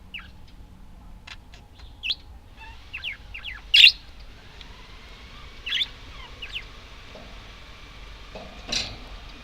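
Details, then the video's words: Budgerigar chirps: scattered short warbles with a few loud sharp squeaks, including one near the middle, and quieter gaps between them. "Волнистые попугайчики (budgies)"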